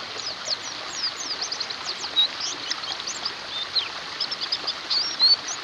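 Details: White-eyes in a lively massed chorus, for therapy of birds gone silent: tight clusters of high, fast chirps and slurred whistles run continuously, with a few louder notes around the middle and end.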